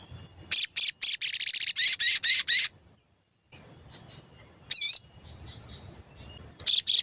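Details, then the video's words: Energetic sooty-headed bulbul singing a lure song meant to provoke other birds: a rapid burst of roughly fifteen sharp high chirps, a pause, one loud wavy note, then another chirp burst starting. "Pancingan Sogon Agar Bunyi dan Emosi, Sogon Bahan Auto Nyaut"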